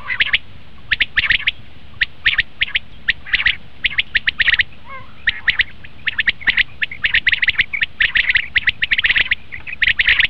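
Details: Common quail calling, used to draw quail in for hunting: a steady stream of short, bright, clipped notes in twos and threes, many birds overlapping with almost no pauses.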